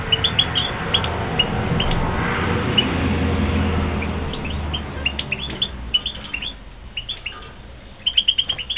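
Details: Goldfinches from a 2016 breeding flock, high chirps sprinkled over a loud low rumble. The rumble fades toward the end, where a quick run of repeated twitters builds up.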